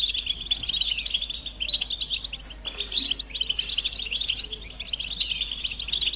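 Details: Many European goldfinches calling together, their mating and readiness calls used to excite males into song; rapid, sparkling chirps and trills swell and ease in waves with steady high twittering throughout.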